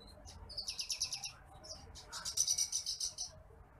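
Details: Bush lark, known locally as branjangan apung or titimplik, in a masteran recording for training birds: two fast, even series of high buzzy pulsed notes, the second longer and louder.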